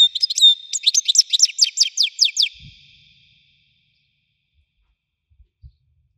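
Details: Goldfinch with Widani song: fast tinkling notes open into a rhythmic series of about a dozen sharp, downward-sweeping strokes, roughly seven a second, then silence broken by faint clicks.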